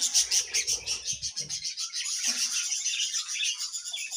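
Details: Budgerigars chattering in the morning, a continuous dense mix of high buzzy warbles and quick pulsed chirps, with some low rustling early on.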